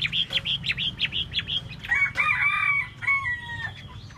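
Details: Chinese hwamei, tail-dancing, sings a rapid string of bright, clipped notes. These give way to longer, richer whistled phrases that hold their pitch, with a steady low hum underneath.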